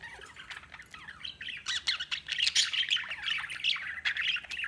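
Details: A group of budgies twitters and chirps at once, a dense, overlapping chorus of quick squeaky notes that grows busier after the first second.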